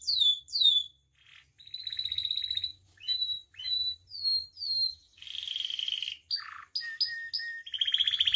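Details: Canary in full song, a master recording meant to train and provoke captive birds: downslurred whistles, steady high tones and short sweeps, followed by a buzzy roll, a dipping note and more whistled phrases.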